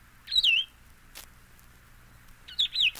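Solitary Vireo singing two short, sweet slurred phrases about two seconds apart, each a quick high warble. Faint clicks and a low hum sit in the background.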